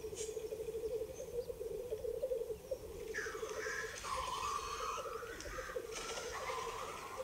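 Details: Several male black grouse displaying at a spring lek in the Ketmen Range, Dardamty hunting area, Kazakhstan, April 2020, recorded on an iPhone: a steady low bubbling rookoo chorus throughout, broken by loud hoarse hissing sneezes midway and near the end.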